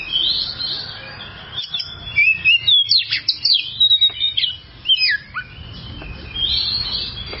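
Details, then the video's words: Oriental magpie-robin masteran song for birds that sing poorly. Faint high notes open, then comes a lively cluster of sharp whistles and quick warbles in the middle, fading to softer high tones. "masteran burung Kacer durasi panjang"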